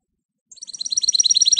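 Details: Canary-goldfinch mule recorded in 2018, starting a high, quickening trill of bright chirped notes that grows louder over about a second.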